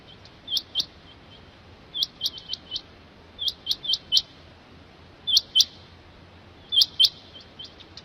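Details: A rain quail gives sharp, high, metallic notes in quick clusters of two to four, repeated about every second and a half, over quiet background.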